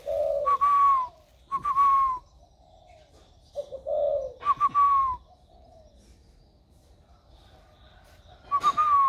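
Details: Caged spotted dove recorded 16 February 2020, its warm voice newly emerged, singing low throaty hoots followed by stuttering, downward-sliding brighter notes, phrases separated by quiet gaps of a few seconds.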